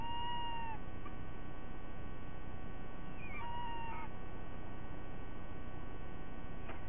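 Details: White-bellied sea eagle at a nest at Sydney Olympic Park, Australia, 2 August 2023 at 06:32, gives two drawn-out, slightly falling, nasal calls about three seconds apart over a steady low rumble of wind or distant traffic.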